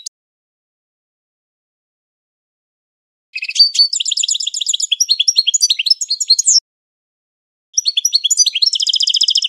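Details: Long silence, then a European goldfinch's classic training song: fast jumbled twittering for about three seconds, a pause, then a buzzy rattling trill. No other sounds present.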